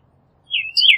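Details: Pyrrhuloxia, Cardinalis sinuatus: a single long slurred whistle that drops, levels, then rises again, followed by a brighter higher burst at the end, against near silence.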